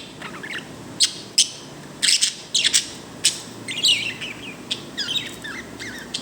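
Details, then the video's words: Pet bird making what is described as a happy sound: short bright high chirps and sharp tweets in scattered bursts, some in quick pairs, over a quiet, faintly hissing background. "my bird 🐦🐦 making happy sound"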